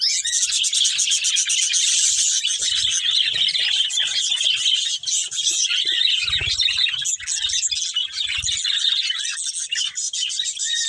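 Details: Budgerigar breeding pair produces a constant stream of high, fizzy warbling and rapid ticking chirps for the whole stretch, with occasional low knocks in the background.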